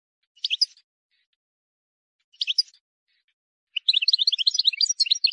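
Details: Wild European goldfinch song, error-free and meant for training young birds. Two short clipped twitters with long pauses between them give way to a dense, tinkling, rapid warble.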